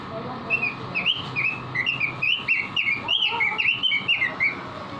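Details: Robin in energetic song (gacor) from masteran training audio for caged birds: a continuous chain of sweet, slurred whistles, roughly three per second, some swooping up, others dropping, with a few softer lower notes underneath and a steady hum.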